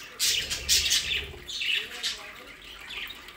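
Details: Aviary budgerigars at play in the Hague region, Netherlands, give a few sharp, bright chirps followed by softer, descending squeaky notes.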